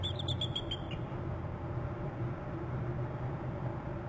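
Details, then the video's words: Two eagles trill on March 28 at 8:14: a quick, high, staccato trill of about six chittering notes in the first second, then a steady low wind-like rumble. "both eagles trill"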